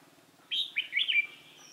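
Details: Caged decoy red-whiskered bulbul singing at a trapping site on 28 October 2018 to lure a rival: one quick phrase of three or four loud, slurred, downward-swooping whistled notes.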